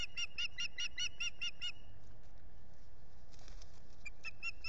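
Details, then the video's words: Osprey at a nest in the Finger Lakes, United States, begging for food in April 2022: a fast series of high, piping whistles, about eight in under two seconds, then a shorter run; steady wind noise throughout. "Ursula begs for food"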